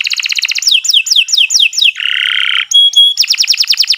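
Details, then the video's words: Canary singing long and non-stop, used as a tutor recording for birds that stopped singing: fast downward-sweeping trilled notes, a harsh buzzy stretch, two pure whistled tones, then a quick rolling trill again. "Kicau Burung Kenari 156 II LUAR BIASA GACOR PANJANG Cocok untuk Masteran"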